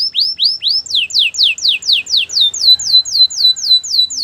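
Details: Canary singing a champion training song, a steady series of bright downslurred whistles repeated about four times a second. The later notes are sharper and end on a clipped high point.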